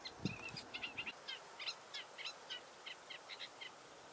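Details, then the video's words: Sedge warbler giving a fast, scratchy chatter of short churrs and chirps at high pitch, run together without a steady beat; faint background hiss. "Rietzanger sedge warbler"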